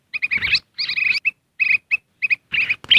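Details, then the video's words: Lure call of the black-crested bulbul, used to attract wild birds: clustered, scratchy chattering phrases broken by single short chirps, ending in a louder rough burst. "Suara Pikat Kutilang Emas"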